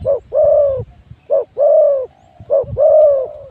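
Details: Three paired phrases from a decoy spotted dove set out to lure wild birds at spot 136, each a clipped note then a longer mellow hoot, evenly spaced about a second apart.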